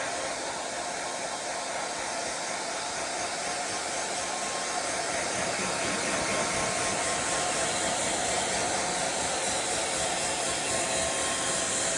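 A hair dryer roars steadily throughout with a constant broadband hiss and no animal voice.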